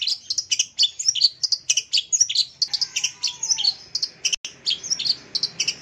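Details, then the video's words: Long-tailed shrike lure song for caged birds that have gone quiet: dense, hurried high chirping and squeaky whistles with little pause, plus a faint falling whistle in the middle. "Suara Cendet Ini AMPUH Mengatasi Cendet Macet Bunyi, Mbagong dan Mbayi !"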